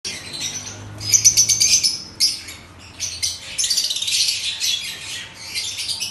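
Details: Breeding pair of Fischer's lovebirds kept as pets giving bursts of shrill, high-pitched chirps and squeaks in uneven clusters, with brief pauses between noisy chattering runs.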